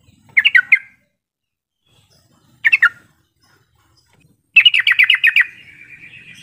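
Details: Yellow-vented bulbul lure call, used to make quiet bulbuls start singing and answer back: three bursts of rapid, bubbly chattering notes, the last burst longest and trailing into a thin whistle.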